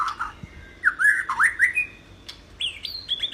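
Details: White-rumped shama singing for other birds to learn from: a few rich, upslurred whistles in a quick series, then higher clear whistled notes after a short gap.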